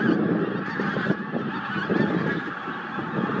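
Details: A pink-footed goose flock at Starene in 2023 calls continuously, a dense overlapping chatter of nasal honks and higher 'wink-wink' notes.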